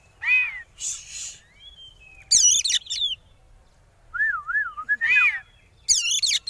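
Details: Lure song of an oriental magpie-robin, 'konslet' kacer, meant to make opponents sing: a varied nonstop stream of slurred whistles, a buzzy burst, a warbling wavy whistle and sharp high bursts.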